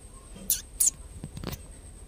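Common tailorbird chicks give two quick, very high, thin squeaks about a third of a second apart, followed by soft clicks and rustling over a faint steady whine.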